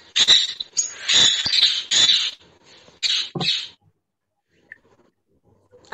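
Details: Parrot sound played for children during a Marathi school lesson on birds: loud harsh screeching bursts in quick succession over about four seconds, then near silence with a faint voice at the end.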